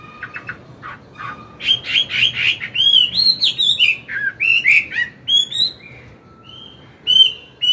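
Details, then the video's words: Forest-voiced morning song from an old wild-caught Chinese hwamei, played to train newly caught birds: soft scattered notes give way to a loud tumbling medley of varied whistles and warbles, ending in short bright phrases. "Luyện giọng họa mi hót sáng, kích bổi mau căng lửa."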